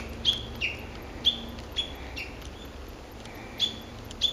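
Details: Japanese bush warbler in the woodland of an ecological park, dated 06/12, the only voice there. Short clear whistled notes, each ending in a slight downward step, repeat at uneven intervals of about half a second over a soft, steady background hiss.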